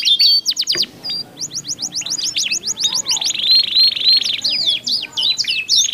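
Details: Canaries singing in turn, two birds with different voice tones: choppy trill bursts separated by brief gaps, a long buzzy rolling phrase in the middle, then crossing swept chirps.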